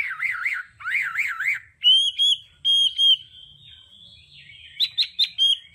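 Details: Hwamei in đảo âm song for voice training: two wavering warbled phrases, then long pure level whistles, a quiet pause and a quick burst of sharp notes.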